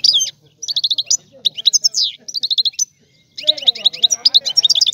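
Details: European goldfinch song, described as the best of this season: rapid tinkling, twittering phrases delivered in bursts of about half a second to a second, separated by short pauses. A longer, denser run of chattering notes closes the passage, with faint lower warbling beneath it.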